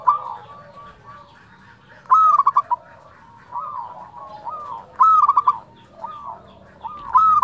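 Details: Flute-like 'nyuling' song of a local zebra dove: loud whistled phrases ending in a stutter of short coos, three in the span, with gentler rising coos from other doves filling the gaps.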